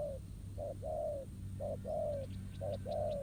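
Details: Spotted dove, a challenger bird answering a decoy at a ground trap; three clear two-part coos, a brief note followed by a longer slightly falling one, against steady low humming noise.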